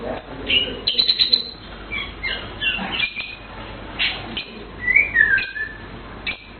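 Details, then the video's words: Blue cucak keling producing varied whistled and chirped phrases, including short rising and falling slurs, with irregular pauses over a soft background rumble. "Blue Cucak Keling Bird Chirping Sound Melodious"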